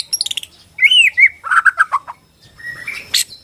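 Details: Bornean white-rumped shama song for provoking rivals: a quick descending trill, then loud looping whistles, a series of rich falling notes and a final rising whistle ending in a sharp buzzy note.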